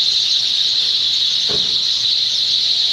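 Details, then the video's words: Sparrows chirp together in the evening in a dense, unbroken, high-pitched chatter with no single voice standing out; a brief low thump sounds midway. "Sparrows noise at evening time"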